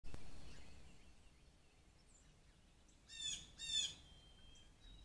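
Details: A blue jay coming to a deck for peanuts on 13 May 2024 gives two harsh, raspy calls in quick succession, with a faint thin whistle from another bird and a low background rumble.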